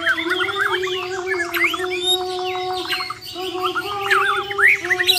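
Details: Competing champion Borneo White-rumped shamas pour out quick strings of chattering, warbled notes in besetan style, repeated in fast bursts over a persistent low drone.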